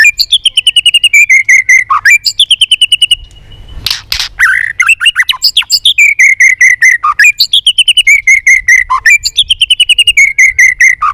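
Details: White-rumped shama singing competitively with tail flicking, varied voices: long rapid trills of repeated whistled notes with low swooping ends, one loud harsh burst midway, then more trilled runs.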